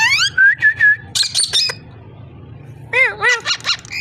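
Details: Pet ringneck parrot vocalising: a rising series of clear whistled notes, then a burst of harsh high chatter, a pause, and a run of nasal, harmonic, up-and-down calls repeated about three times a second.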